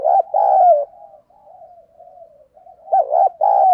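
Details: Decoy spotted dove used to stir other doves into cooing quickly; hashtags name a thổ sấm voice style. Loud, low, mellow coo notes open, then a soft wavering murmur for about two seconds, then strong repeated coos return at the end.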